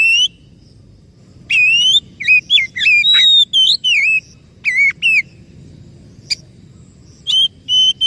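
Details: Oriental magpie-robin lure song aimed at a silent or stressed bird: a held whistle, then a lively string of varied, rolling whistled notes, a pause broken by one click, and two last clear whistles.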